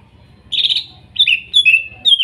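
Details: Greater green leafbird, wild Kuningan forest bird, spotted and masked, song meant to restart a silent bird: a loud harsh chattering burst, then three clear whistled phrases sliding down, with low hum in the background.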